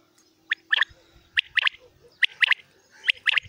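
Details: Common quail calling in a morning recording: clipped three-note phrases of short, sharp, bright notes, repeated steadily about every 0.8 seconds, over faint low background noise.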